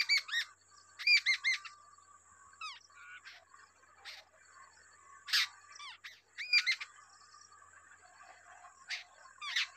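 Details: Wild babbler feeding two chicks at the nest; clusters of short, harmonic, rising-falling chirps in quick bursts, with descending squeaky notes between, against a faint steady high hiss.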